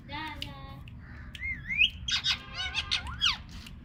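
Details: Talking pet parrot: a voiced, speech-like phrase with stacked harmonics opens, then a run of rising whistles and harsh, bursting squawks, several per second.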